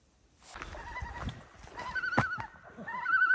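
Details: A common loon in Jasper National Park, on the North Boundary Trail near Snake Indian Falls, gives a wavering, laugh-like call rising into a sustained trembling note, with hikers' footsteps and brief rustling nearby.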